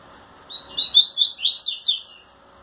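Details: Double-collared seedeater singing to a female in courtship, wings shivering, pours out around eight fast, sharp whistled notes swooping up and down in a tight, musical sequence over a soft background.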